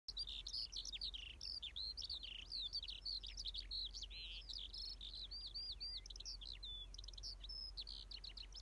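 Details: Skylark singing a long, unbroken stream of rapid, high warbling and chirping notes that rise and fall quickly and continue without a pause. A faint low hum lies underneath.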